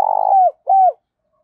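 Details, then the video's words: Spotted dove kept as a lure, heard ending a phrase: a long pulsing, burry coo that slides downward, followed by one shorter falling coo, then quiet. "tiếng chim cu gáy mồi gáy gọi"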